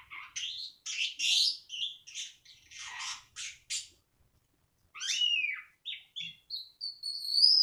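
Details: Black-winged starling delivering loud harsh squawks and raspy notes, then sweeping whistled slurs and a high thin rising whistle near the end.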